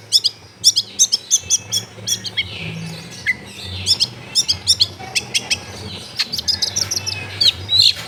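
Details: Long-tailed shrike lure recording from a home in a crowded neighbourhood: a brisk run of high sharp ticks and chirps in rhythmic clusters, with a few longer whistles near the end and soft background rumble.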